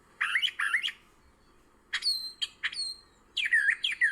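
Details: Brown thrasher (Toxostoma rufum) flitting from bush to bush along the ground in April on the Towpath Trail by the old Ohio and Erie Canal, Ohio, singing varied rich phrases, harsh chirps then clear whistled, slurred notes, each roughly doubled.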